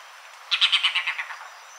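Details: {'_': 'Red-bearded bee-eater listening to played-back calls; a series of about eight rough, descending notes slowing and fading over a second, over steady background hiss.'}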